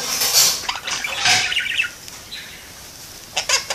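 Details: A pet parakeet hanging out in a window talks and sings, giving bursts of high, scratchy chatter and short warbled phrases, pausing midway, then ending with a few sharp clicks.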